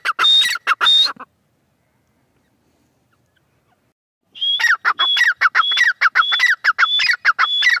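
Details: Female francolin calling: two harsh rasping bursts with a high whistled note, a pause of about three seconds, then a fast series of loud, coarse repeated phrases, each with a thin whistle and descending rasps.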